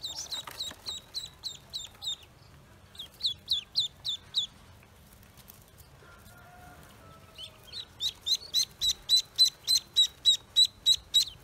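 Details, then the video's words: Newly hatched Pekin ducklings on a farm, peeping in quick series of high, downward-slurred notes, several per second, in bursts with a brief pause midway and a faint lower tone. "Newly Pekin Ducks Hatched On My Farm"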